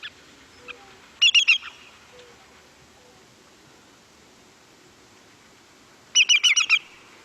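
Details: Greater Yellowlegs (Tringa melanoleuca) giving two quick bursts of three to four loud, clear, high whistled notes, about five seconds apart; faint soft notes in between.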